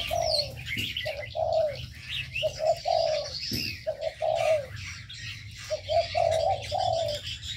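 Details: Aviary birds: groups of two or three low, smooth hooting notes with short pauses between, over a background of high, thin twittering and chirps.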